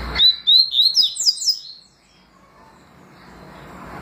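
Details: Double-collared seedeater singing the song styles known as tui tui and deputado: a quick run of clear, rising whistled notes high in pitch, about five slurred upward phrases in just over a second, then near silence.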